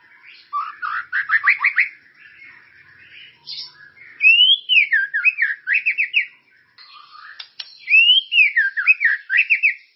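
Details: A White-rumped shama sings in a lure recording meant to get caged birds singing: sweeping rising-and-falling whistled phrases mixed with rapid trills, delivered in long bouts separated by short quieter gaps.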